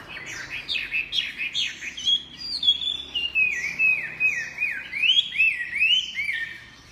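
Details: Chinese hwamei in full song, a continuous stream of loud, rich whistled phrases with swooping notes rising and falling, delivered rapidly about twice a second without pause.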